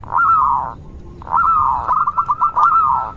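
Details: Local zebra dove, a lively singer, used as a lure to draw other zebra doves into song: two soft drawn-out coos at a steady mid pitch, the second breaking into a quick run of pulsed notes.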